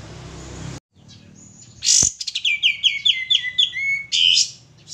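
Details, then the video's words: Lure song of a male sooty-headed bulbul: after a sharp click, a rapid string of bright whistled notes steps downward, followed by a hissy high burst, with quiet low hum behind. "suara pancingan burung kapas tembak jantan gacor"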